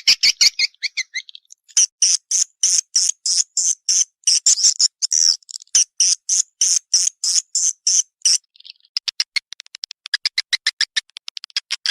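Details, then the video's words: Swiftlet response call: fast, loud, high buzzy chirps repeated in a rhythmic stream, then a softer, quicker run of ticking clicks. "Suara Walet respon"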